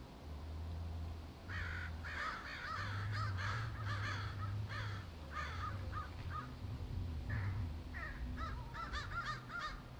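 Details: A tree full of crows cawing: many harsh, overlapping caws in bursts over a steady low rumble of background noise.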